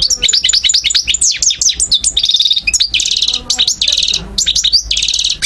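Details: European goldfinch singing in Algeria, 2012, a song style with local named motifs: dense rapid twittering with sharp downslurred notes, buzzy trills and rattling castagnette-like runs, continuous and loud.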